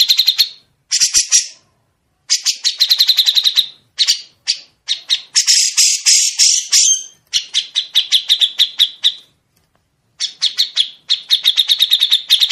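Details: Grey-cheeked bulbul tutor recording for songbirds: alternating fast trills of bright repeated chirps and harsh, noisy rasping bursts, in phrases of one to three seconds separated by short silences. Nothing else is heard.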